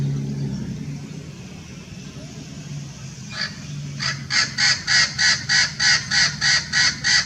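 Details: Hybrid Blue-fronted x Red-crowned Amazon parrot at Irvine Regional Park, Irvine, California, on a winter day, January 9, 2018. Low traffic rumble gives way to about a dozen harsh, nasal squawks in a steady run of roughly three per second.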